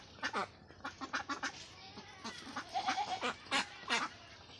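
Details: Ducks on a duck farm giving a series of short, harsh quacks in uneven bursts, some doubled, with a faint background hum.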